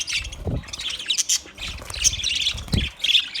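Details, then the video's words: Several budgerigars chirping for a lonely bird, giving quick high squawks and chatter in bursts, with two dull low thumps, possibly wingbeats or movement. "Budgies chirping sounds for lonely bird"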